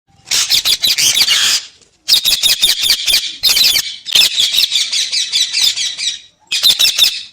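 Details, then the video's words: A talking parrot gives harsh, raspy squawking bursts in four long runs separated by short pauses, each run made of rapid grating pulses, with no other sounds. "parrot sounds/parrot talking"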